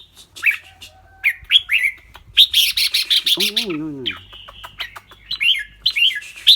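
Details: Caged red-whiskered bulbul with a clear voice, delivering bright whistled notes and slurred warbles, interrupted by a harsh broadband burst and a low harmonic squawk, then resuming quick chirpy phrases.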